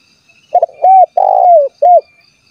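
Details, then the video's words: Spotted dove calling to provoke rival doves into singing, also used to lure wild birds closer; a quick stuttered note, then three clear coos, the middle one long and sliding downward, in a quiet, clean recording. "SUARA BURUNG TEKUKUR GACOR MEMANGGIL LAWAN AGAR BUNYI"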